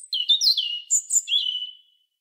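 A European robin sings a brief, high phrase of thin, sliding whistles and quick trills, dropping in pitch and then fading out after about two seconds.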